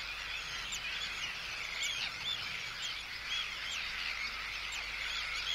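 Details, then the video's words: Close-up Arctic tern colony with anxiety and threat calls at an intruder and calls from chicks; a steady wall of high grating calls, with repeated short rising and falling slurred notes throughout. "Arctic Tern. CU Anxiety And Threat Calls At Intruder. CU Calls From Chicks."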